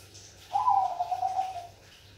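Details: Bangkok-type zebra dove, an actively singing perkutut, gives one soft, vibrating coo lasting just over a second. It starts on a slightly raised note and drops into an even, quavering trill, with a faint steady hum behind it.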